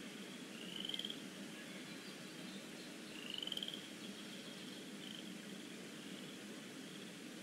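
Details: Eaglets in the Decorah North nest on a lazy afternoon, 13 April 2017, with pinfeathers starting to show. Two thin, rising, chittering calls about two and a half seconds apart over steady broadband background hiss.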